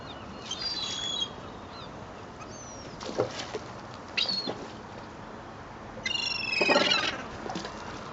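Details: Rowdy seagulls being fed bread at Fleetwood Docks on a sunny day, 7/8/2012, heard from a boat's stern deck: bursts of harsh, harmonic squealing calls, some overlapping, with short gaps between them and a steady background hum.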